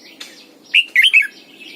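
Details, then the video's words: Caged lure red-whiskered bulbul giving morning song in the old wild double-note style, used to train other birds: a soft chirp, then a bright, rapid three-note warbled phrase. "luyện chào mào mồi hót sáng cực hay, ép chào mào hót âm kép già rừng hay tuyệt!"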